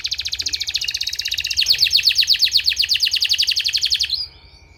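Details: Canary therapy song for training canaries: a loud, rapid, even trill of buzzy high notes rolls on for about four seconds, growing stronger midway, then stops abruptly. A faint steady tone hums in the background.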